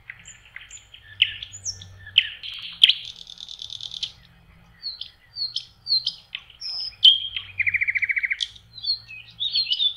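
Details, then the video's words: Common nightingale singing on a lakeshore in May, spring: varied high phrases of sharp whistles, clicks and a fast rattling trill of evenly repeated notes near the end, with short pauses between phrases. "Соловьи. Волшебное пение в мае. Nightingale singing"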